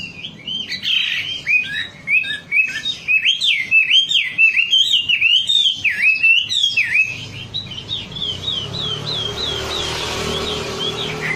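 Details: Wambi lure song for prompting a caged bird to sing: a long run of rapid, looping whistled phrases, each a quick rise and dip, repeated steadily for about seven seconds before fading into softer background twitter.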